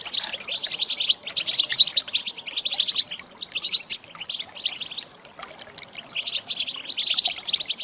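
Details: Female European goldfinch calls for rousing males to song: rapid high twittering bursts, a quieter gap around the middle, then bright chirping flurries resume.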